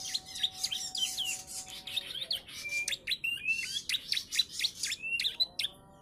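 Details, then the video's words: Young bar-winged prinia aged three months, trained on ciblek song, singing a dense stream of high chirps, short whistles and buzzy trills at a steady rapid pace. "PRENJAK PAUD USIA 3 BULAN. ISIAN CIBLEK BOSQUE !"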